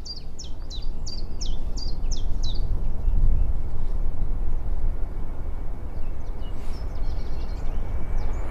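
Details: A chiffchaff living under an airport runway, where planes pass every three minutes, sings a quick run of high chiff-chaff notes at a lower pitch than birds farther away, continuing over the deep roar of a jet taking off.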